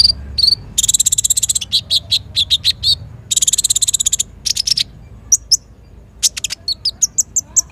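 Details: Brown-throated sunbird singing vigorously with fast bursts: two long, dense buzzy trills of rapid high pulses separated by spaced chirps, followed by scattered sharp high notes and thin squeaks.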